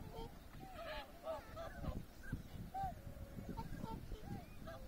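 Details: Wintering tundra swan flock on the Abukuma River floodplain, Japan, in January 2021, with many ducks nearby. Several birds give overlapping short, nasal honking calls, some rising then falling, over a steady low rumble of background noise.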